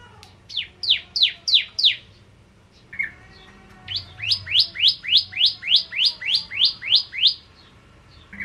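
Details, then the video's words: Bar-winged prinia, lively 'ciblek kristal' lure song: six quick, piercing falling notes, a pause with a short buzzy note, then a longer regular series of sharp down-slurred notes at about three per second. "Burung Prenjak Jawa Gacor Pancingan Ciblek Kristal"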